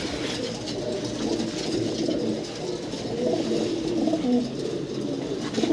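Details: Pigeons being fed during a Kalbaishakhi (nor'wester) storm. A low, continuous murmur of cooing sits under a few short tonal notes. A steady broadband hiss runs behind it throughout.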